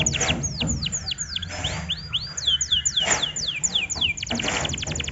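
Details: Canary song played as a provoking lure for other canaries, made of quick repeated downward-swept whistles and rising notes, ending in a rapid trill, over a low background hum.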